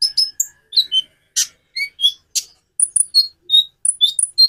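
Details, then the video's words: Konin sunbird producing a varied series of high, clear whistled notes and sharp chips, some rising or dropping, repeated at quick, uneven intervals. "Variasi kicau burung Konin bikin burung lain gacor"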